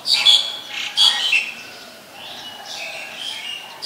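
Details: In Ubon Ratchathani, Thailand, on 2 January 2020, a black-collared starling utters two loud, grating squawks, then softer scratchy chatter, and another harsh note at the close.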